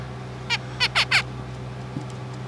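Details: A pet male zebra finch, asking for more petting or grooming with an ear bud after it stops, gives four short, nasal, trumpet-like calls in a quick cluster over a steady low hum.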